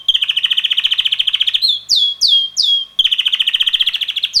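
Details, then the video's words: Red male canary about six months old, a young bird that sings most of the day with melodies changing weekly: a fast rolling trill of rapid notes, then three loud downslurred whistles, then the rapid trill resumes. "red canary bird singing - roter singender Kanarienvogel"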